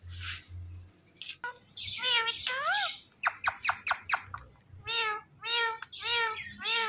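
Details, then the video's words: Indian ringneck parakeet, a green parrot, speaking "Mitthu". Nasal, wavering, harmonic syllables come in quick bursts, some clustered into fast runs, with faint low background hum between them. "Mitthu Mitthu Speaking Green Parrot"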